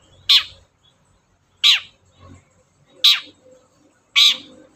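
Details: Long-tailed shrike, used as a lure to get other shrikes singing: four loud, harsh, rasping notes about 1.3 seconds apart, each sweeping down slightly, with a faint low hum underneath.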